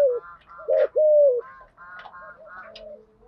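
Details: Spotted dove coos used to stimulate decoy doves; a few low falling coos, one long and drawn out, mixed with higher buzzy chirping notes from another bird and soft background sounds.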